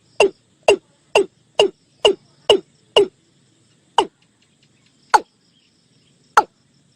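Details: Watercock call: a series of sharp, hollow knocking notes, each dropping quickly in pitch. Seven come in quick succession about twice a second, then three more follow at slower, wider gaps. The background is quiet, with a faint low hum.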